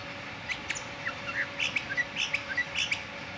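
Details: Morning song of a sooty-headed bulbul: a quick, bubbly series of short, mellow whistled notes, some rising and some falling, given at roughly two per second over a low constant hum.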